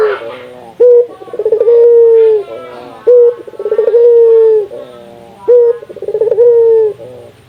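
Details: Local puter dove in Indonesia, its call used to set other doves calling. Three regular phrases, each a sharp note, a fast rolling stutter and a long sustained coo, over a low background hum.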